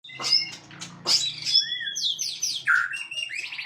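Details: White-rumped shama singing on a bright morning: a rich, varied run of clear whistles, sliding notes and rapid trilled phrases, loud and close, over a low steady hum.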